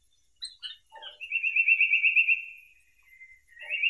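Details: Indian paradise flycatcher song: a few short high chips, then a rapid, buzzy, evenly pulsed trill held at one pitch for about a second and a half. A fainter trill begins near the end. Quiet background.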